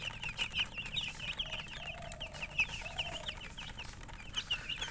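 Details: Chickens with a colored hen give rapid high chirps in a steady stream, with a soft, longer, lower call drawn out in the middle.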